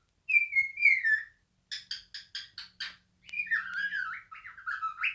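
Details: A male pet cockatiel giving its natural song, which it sings while spreading its wings: a warbling whistled phrase, then a burst of rapid chirps and more whistles.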